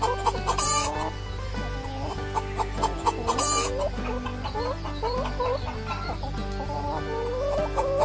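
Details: Hen gives a running series of short clucks, some with upward-bending notes, repeated steadily across the stretch, with continuous music playing underneath.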